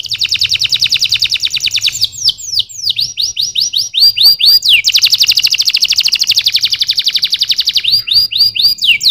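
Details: Canary song alternating long rapid trills with slower groups of sweeping whistled notes, loud and sustained throughout at high pitch.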